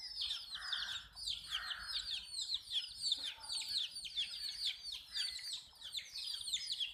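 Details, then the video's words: Many baby chickens at drinking water give a steady stream of shrill, descending peeps, crowded and overlapping, with a couple of lower, longer calls early on. "Baby "CHICKS CHIRPING" Sound"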